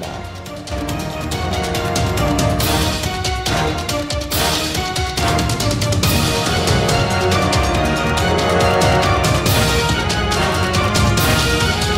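Loud, driving theme music with steady beats and dense instrumentation throughout; no animal sounds are heard.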